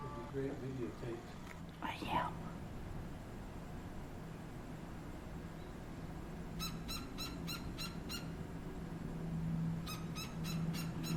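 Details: Gila woodpecker young and adult on a back fence in Tucson, Arizona; bursts of rapid harsh chattering notes, about five per second, in two runs after a brief rising squeal, over steady low hum.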